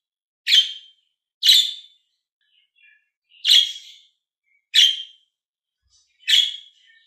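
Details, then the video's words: Pet budgies, green and blue birds, calling with abrupt, rasping chirps in an uneven series of five, with a few very faint twitters between them, in a quiet setting. "Budgie Amazing Calling Sound to Make Me Happy"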